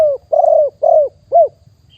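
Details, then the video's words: Wild spotted dove recorded live in 2021 at Nong Khu Phai, Thailand, used for calling in other doves: four clear, mellow, down-curving coos in quick succession, the last one short and isolated, with a quiet low background. "นกเขาใหญ่ป่าเต็ม100% บันทึกสดเสียงต่อนก2564"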